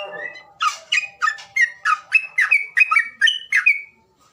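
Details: Bird call played to prompt birds that will not sing: about a dozen evenly spaced, harsh chirping notes in a quick series, each with a scratchy edge, on a clean quiet background.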